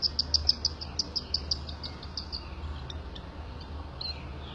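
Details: Cockatiel chicks being fed by their mother make a rapid series of short, high, clicking peeps, about six per second, loud at first and then fading to fainter, scattered notes over a low background hum.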